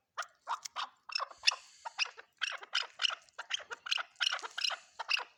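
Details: Chukar, the chakor, delivering a brisk series of rasping chuck notes, about fourteen in five seconds, fairly evenly spaced and loud throughout.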